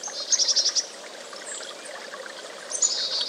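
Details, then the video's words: Chickadee giving a rapid string of about five high, piercing notes, a brief pause, then a longer high whistled phrase at the end, with steady background hiss throughout. "1-hour Chickadee Birdsong | The Chickadee Sings"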